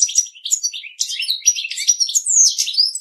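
A goldfinch sings a fast, jumbled run of bright twittering notes and liquid trills, high-pitched and continuous with no pauses.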